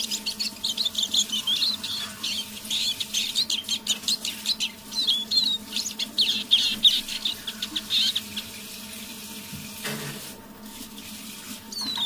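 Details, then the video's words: Eurasian siskin kept as a decoy bird, singing under its breath in the evening: fast twittering, about three notes a second, then a brief rustling burst and fading notes, over a low steady hum. "Песня моего манного чижа"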